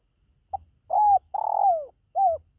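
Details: Spotted dove call played to lure pet birds: a short introductory note, a clear falling coo, a drawn-out buzzy coo sliding lower at its end, then a brief final coo. No other sounds stand out.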